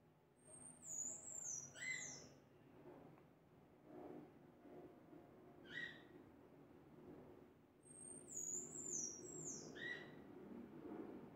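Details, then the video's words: Pectoral sparrow singing: very high, thin, whistled phrases sliding downward, with a lower note at each phrase's end. Two phrases about seven seconds apart, plus one short phrase between them, over a steady low rural background hum. "TICO TICO DA MATA CANTANDO"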